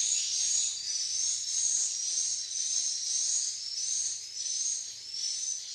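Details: Swiftlets in Malaysia calling in a high, hissing chatter, with thin whistled notes sliding upward and repeating in waves nearly twice a second.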